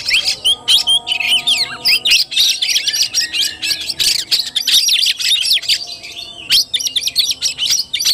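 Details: Fighting-style (tarung) Oriental magpie-robin song, 17 August 2021: pulsing bursts of fast high chirps, trills and whistles repeated in quick succession without letup, with faint low steady whistled tones beneath.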